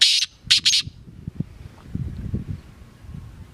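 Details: Black francolin (kala teetar) call heard at the start: three harsh, raspy bursts, the last two close together, followed by quiet with faint low rumbling and thumps.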